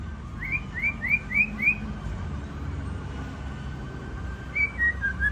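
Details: At a Ladong bird singing contest, the champion white-rumped shama repeats five quick upslurred whistles in a row, pauses, then adds a few more notes, with many birds calling faintly behind.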